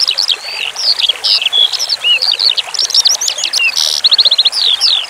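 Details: Skylark song from a branjangan training recording with relaxing running water: bright, rapid chain of clear whistles, upward and downward slurs and short rattles, including a quick run of repeated identical notes near the end.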